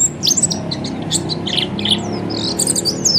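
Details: High, tinkling twitter of an Oriental white-eye, ngeriwik style, used to encourage other birds to sing: quick chirps and a few drawn-out rising whistles, a soft low hum behind.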